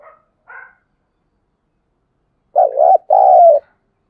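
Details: Spotted dove calling in the dim light before sunrise, giving one deep coo phrase of a short undulating note and a longer flat note, preceded by faint chirps from another bird.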